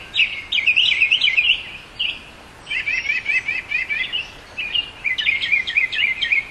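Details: Northern mockingbird song made of varied phrases: rapid warbled trills, then repeated chattering notes, a brief pause, and another burst of quick jumbled twittering, each phrase repeated several times before switching.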